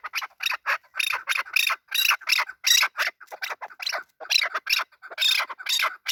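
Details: Male desi chakor calling: harsh, dense chattering bursts repeated rapidly and irregularly over six seconds, with overlapping notes suggesting a busy exchange, and no other clear sounds.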